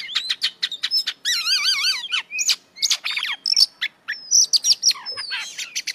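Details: Oriental magpie-robin (kacer) delivering a varied song rich in 'isian' fills: sharp chips, a long wavering trilled phrase of wobbling whistles, then clear high whistled notes and rapid ticking.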